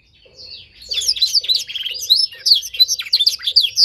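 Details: Canary song in a training session for a young bird learning a tutor's song: it starts quietly, then builds into loud, quick, high chirps and twisting whistles, over a faint low ticking repeated about twice a second.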